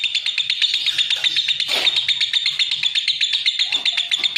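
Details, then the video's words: Lovebird pouring out quick, piercing high chirps in a continuous ticking series, with a short rush of broadband noise partway through. "Suara Kicau Burung LOVEBIRD"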